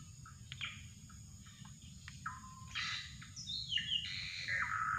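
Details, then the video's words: Drongo lure calls: scattered short chips and clicks give way to a loud rasping phrase mixing buzzy bursts with descending whistled slides, over a steady high-pitched insect whine. "mikat burung srigunting"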